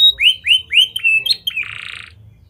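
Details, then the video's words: Canary with lovebird and prenjak-style phrasing, used as a lure to get other canaries singing long: three upward-curving whistled notes, a short slurred phrase, then a brief buzzy rattle. "Kenari Gacor Cengkok Lovebird & Prenjak! Ampuh Buat Pancingan Kenari Lain Agar Gacor Panjang"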